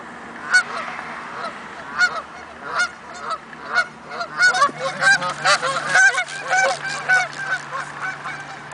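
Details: A flock of Canada geese calling excitedly before takeoff, rapid overlapping nasal honks that build into a dense burst of calls midway, then ease to spaced honks, with a faint low hum behind.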